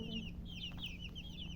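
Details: Close, clear chirps from colour chickens: bright, high peeps sliding downward, three or four per half second, over a faint steady hum.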